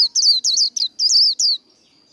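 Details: A Japanese white-eye delivering contest song in short, high, tumbling warbles, five or six quick slurred bursts before a faint thin tone trails off.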